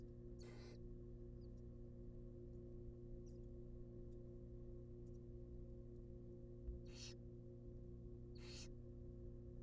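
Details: Wild barn owl young in a monitored nest box at rabbit feeding time: three sparse, short hissing bursts spread over nearly ten seconds, with faint scratchy sounds and an even low hum.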